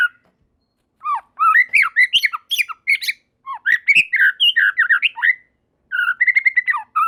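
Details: White-rumped shama in loud song as other shamas quickly join in; bursts of varied whistled and scratchy notes, rising and falling between mid and high pitch, separated by brief pauses, with a clipped final phrase.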